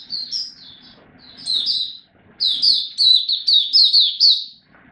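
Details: Oriental white-eye in a cage giving a song display: soft high twitters, a short gap, then a loud run of quick, rapidly repeated chirping notes.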